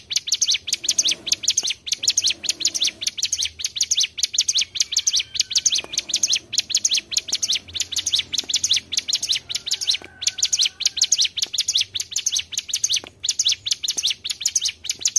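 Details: Mountain tailorbird trapping lure: long, relentless run of quick, thin, high chirps, densely packed and barely pausing, with a faint low murmur underneath at times.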